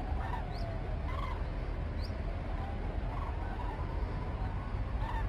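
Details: Cranes over Arnedo on 2 November 2017, taken as a sign of changing weather, give rolling, trumpeting calls about once a second, several birds overlapping, over a heavy low rumble of wind or distant traffic.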